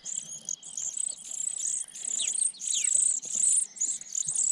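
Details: Sparrow chicks begging in a nest atop a pine tree as parents feed them: dense, hissy, very high-pitched chattering in rapid overlapping bursts, with short gaps and a few sharp downward slurs.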